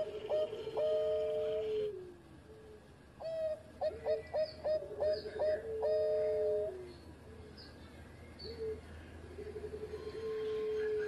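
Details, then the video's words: Bangkok-type zebra dove singing vigorously as a master recording for training doves: repeated phrases of quick clipped coos followed by long level notes that fall at the end, with pauses between phrases and a soft background hum. "Perkutut Bangkok Gacor Buat Masteran"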